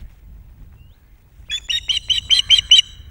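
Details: Female osprey at the Loch of the Lowes nest on 21 June 2021, mantling over her chicks and shrieking fierce warnings at an unseen intruder around 19:45: a rapid series of piercing, harsh, repeated notes, growing louder, after near silence.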